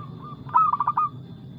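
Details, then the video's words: Local Indonesian zebra dove in fast, loud cooing song: a soft lead-in note, then a quick run of five clipped, hollow, evenly spaced coos, over a low background hum. "PERKUTUT LOKAL GACOR Nada cepat Suara keras kristal"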